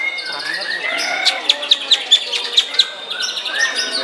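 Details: White-rumped shama in the main class of a bird-singing contest at Gantangan Puspa Agro, Jemundo, Sidoarjo, on Sunday 21 January, placing second; sharp, loud clicking notes burst out about every quarter second over a dense chorus of other contest birds' whistles.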